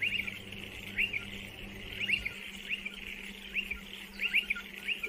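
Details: Striated pardalote call: a brisk series of bright down-slurred chip notes, often in pairs, about one to two per second, against steady hiss and a low hum that stops partway through.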